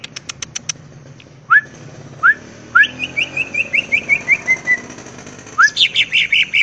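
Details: Greater green leafbird singing ngentrok-style fill-ins with raised crest. Sharp clicks, several low upslurred whistles, then a run of about ten descending whistled notes and a dense warble, over faint background hiss.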